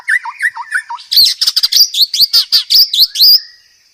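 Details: White-rumped shama master song for cage-bird training with many fill-in phrases: four falling whistles in a row, then a long run of loud, high, buzzy chattering notes ending in a thin sustained tone.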